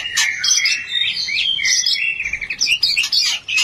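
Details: Oriental magpie-robin mating call to raise breeding urge: a continuous, lively medley of high whistles, trills and chirps, bright and varied, barely pausing.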